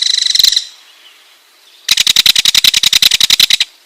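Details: Loud ringed kingfisher rattle, an opening burst of clattering notes, then after a pause a slower run of about twenty harsh, evenly spaced clicks lasting nearly two seconds.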